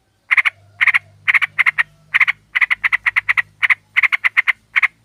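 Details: Female sooty-headed bulbul luring a male: harsh chattering notes in quick clusters of two to four, repeated nearly without pause after a brief silent start, with a faint low hum behind.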